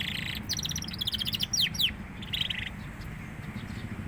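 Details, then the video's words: A young canary is starting to sing actively, with rapid high chirps and thin descending trills in quick bursts over the first three seconds. Steady low rumbling background noise continues throughout. "suara burung kenari paud mulai gacor"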